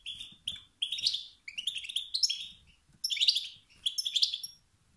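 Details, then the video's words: Wild male European goldfinch calling 'sts-sts' and 'bt-bt', calls that stir the competitive instinct of other males. Rapid, sparkling twitter phrases arrive in four bursts over faint low background rumble. "ستستات و بتبتات ذكر الحسون الخلوي التي توقد النار في الذكور الاخرى"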